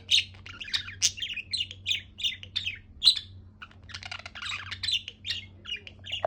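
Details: Happy budgerigar giving a string of short, high chirps about every half second, then a denser patch of buzzy twittering before the chirps resume, with a low steady hum behind.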